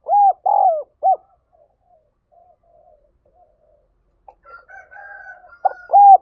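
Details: Spotted dove used for luring other doves, giving loud, arched coo notes in short groups, a long gap of faint low murmuring, then a soft higher drawn-out tone before two more strong coos end the phrase.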